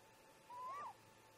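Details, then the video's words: Before dawn, near 04:25, a great grey owl parent calls at the snag nest while its mate visits: a single drawn-out whistle that climbs gradually, then bends sharply down at the end. The rest is a quiet, steady hum. "Great Gray Owl - Parents Have a Talk"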